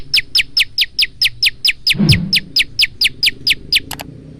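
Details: Phone recording of a male bar-winged prinia singing varied song: a long steady series of about sixteen sharp, high downslurred chips, evenly spaced, with a brief low rumble of handling noise near the middle.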